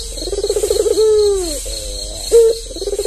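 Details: Tame captive albino Barbary dove, white with red eyes, kept as a lure and tutor for other doves. Low bubbling rolled trill, then a long drawn-out falling coo, a soft wavering note, a short clear coo, and the rolling trill again.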